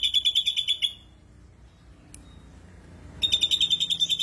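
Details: Ashy drongo 'tembakan kasar' song: a short rough pulsed trill, a two-second silence broken by a single sharp click, then the same high rattling trill resumes.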